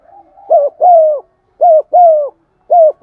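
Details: Spotted dove used as a lure bird, cooing in the 'giọng son' voice style to stimulate other doves: soft hollow coos in close pairs, each note slightly falling, about five notes in three seconds with short silences.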